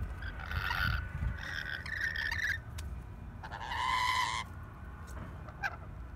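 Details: Two rainbow lorikeets in a garden sage plant in Sydney, Australia, in September, fascinated by their mirror reflection, possibly a mating ritual, give harsh, raspy screeches in two bursts of about two and one seconds over low rumble.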